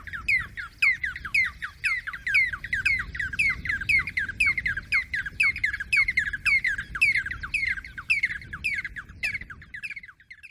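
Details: Yellow-breasted Barbets (Trachyphonus margaritatus) in Djibouti during the 2022 field season, where groups chorus: a rapid duet, a fast stream of loud, sharp, squeaky notes nearly two a second, over a low rumble.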